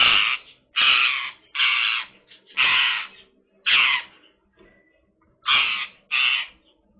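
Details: Female pet Indian ringneck parakeet (Psittacula krameri manillensis) playing with her favourite toy, giving seven harsh, raspy squawks over about seven seconds, each roughly half a second long, with short pauses between.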